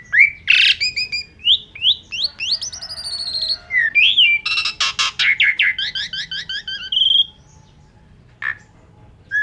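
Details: Asian pied starling singing a busy, varied song: sweeping whistles, harsh rattling bursts and rapid trilled phrases packed close together, then a short pause and a single harsh note.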